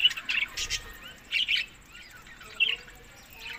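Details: Budgerigars feeding in summer in Larkana, Sindh: separate bursts of bright chirps and short warbles, roughly one every second, with quieter twittering and faint whistled notes between them.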